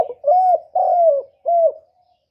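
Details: Spotted dove calling in a clear recording: three low, smooth coos, the middle one longest and slightly falling, separated by short gaps, then a faint trailing note and silence.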